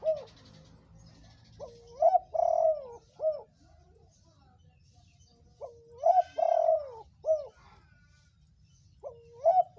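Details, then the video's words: Spotted dove, a reddish-coloured bird, calling as a lure to make other doves call: two phrases about four seconds apart, each a short hooked coo followed by a long, steady, mellow coo and a final rising note, over a faint low hum. "pancingan ampuh tekukur gacor"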